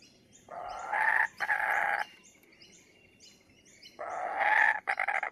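A kookaburra gives two loud bursts of harsh, raucous cackling, the second ending in quick choppy notes, while small birds chirp faintly behind.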